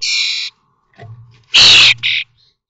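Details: Three-week-old common starling chicks calling in the nest at Théding on 19 May 2024 during fledging; a buzzy drawn-out note, then a loud hoarse screech and a shorter rasp, with a low hum beneath.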